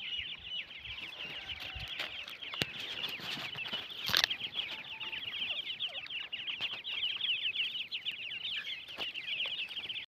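A dense chorus of francolin chicks, many thin, high peeps overlapping in rapid succession without pause, with a few soft knocks and clicks in the background.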